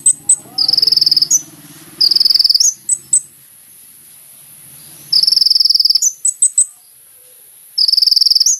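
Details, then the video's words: Sunbird (kolibri ninja) in lively song, played as a lure: short bursts of fast buzzy trilling, each followed by a few high chirps, separated by quiet pauses of one to two seconds. "SUARA BURUNG KOLIBRI NINJA GACOR"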